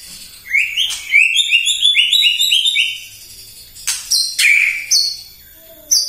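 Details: White-rumped shama singing full in the morning, a lure recording meant to provoke other shamas: a fast, rich run of fluty whistled notes, about a dozen in two seconds, then loud ringing whistles and sharp chips.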